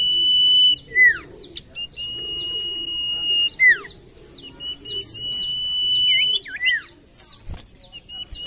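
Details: Common iora song for luring: long level whistles broken by loud falling slurs and looping notes, with high thin downward sweeps between phrases, repeated several times.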